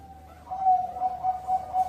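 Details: A captive zebra dove hatched 16-10-20, bred in Cirebon, Indonesia, sings a soft, hollow, steady coo with gentle pulsing notes, low-pitched and mellow, repeated without a break.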